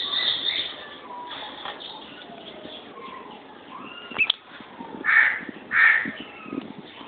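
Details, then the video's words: Kept as pets, two lovebirds make faint scattered chatter and thin notes, then two loud grating screeches about half a second apart near the end. "Love Birds"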